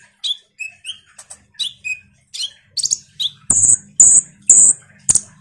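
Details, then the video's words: Lively common iora chatter meant to trigger responses from kolibri ninja birds: paired short whistled notes at varied pitches, then loud, long, harsh high buzzy notes with clattering noise. "Semua burung KOLIBRI NINJA PASTI MERESPON suara PANCINGAN KONIN GACOR NGOBRA ini"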